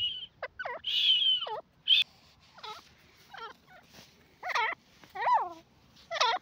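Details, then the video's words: Grey francolin (gora teetar) giving a string of swooping, downward-curving nasal notes mixed with a high, thin whistled squeal near the start, irregularly spaced over a low background hum. "teetar ki boli grey francolin ki masstti gora teetar"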